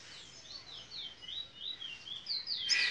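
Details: Locally bred Fire Red mule, a canary x red siskin hybrid from Princes Town, Trinidad, singing in the bullfinch role: a soft series of repeated high sweeping notes over background hiss, ending in a louder bright flourish.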